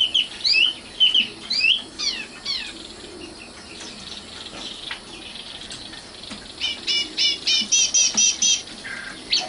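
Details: Common nightingale (Luscinia megarhynchos), known locally as sikatan londo, singing: sharp rising and falling whistled notes, then a buzzy pause and a fast run of about ten loud, evenly repeated piercing notes near the end.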